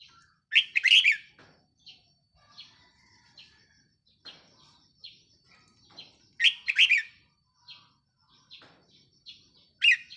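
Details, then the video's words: Caged red-whiskered bulbul kept as a decoy bird, recorded 4 May 2023, giving loud bubbly whistled phrases near the start and again after six seconds, with softer chirps and notes scattered between them. "เสียงนกต่อ นกกรงหัวจุกแก้มแดง"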